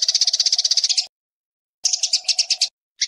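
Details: Eurasian tree sparrows fighting, a recording offered as tutor material for songbirds: fast bursts of harsh, buzzy chirps at about four per second, broken by short silences, with a faint steady low tone beneath the first two bursts.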